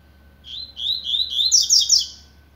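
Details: Double-collared seedeater warming up its voice with a phrase of slurred whistles running into a rapid series of bright, buzzy high notes, about two seconds long, over a faint steady hum.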